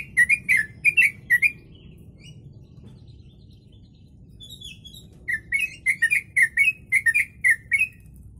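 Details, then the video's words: Yellow-vented bulbul singing a song laced with copied kutilang (sooty-headed bulbul) phrases, meant as tutor material for birds; loud, bubbly two-note chortles repeated about twice a second, a brief lull, then a long steady string of the same phrases. "Trucuk Isian Kutilang"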